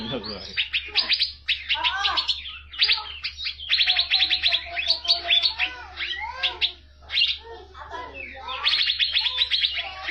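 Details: Asian fairy-bluebird, a caged bird singing energetically, kept as a tutor for training other songbirds: dense, busy chattering song of rapid high notes, buzzy trills and short down-slurred whistles. A steady low hum runs underneath.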